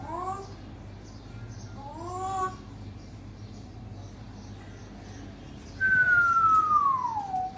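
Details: African grey parrot in Sukkur, said to be mating: two faint rising-and-falling tonal calls, then a loud clear whistle sliding steadily downward for nearly two seconds over a low steady hum.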